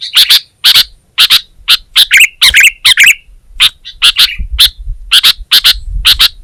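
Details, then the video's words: Sooty-headed bulbul (kutilang) singing energetically: a fast run of short, sharp, bright chirps, often doubled, about two per second, with brief pauses between bursts. "Suara Burung Kutilang Gacor Terbaik 2022"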